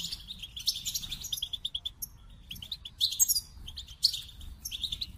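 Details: Goldfinch song opening with a quick series of repeated chips, followed by sparkling trills and twittering flourishes at a high pitch.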